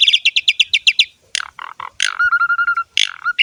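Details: A Javan pied starling (jalak suren) sings energetically: a rhythmic series of about nine doubled chirps, then low rough chatter, a burst of noise and a pulsing level whistle.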